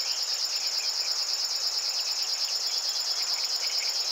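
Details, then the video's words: River warbler at location 52.057384, 20.195077 delivering a steady, high, insect-like rasping buzz of fast pulses, unbroken throughout, with faint notes of other birds behind. "River warbler / Strumieniówka"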